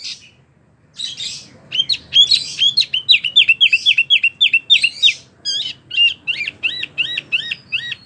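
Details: Caged wambi under care rolling its song: after a short pause, a long series of evenly repeated hooked whistle notes, about three a second, mixed with buzzy chirps.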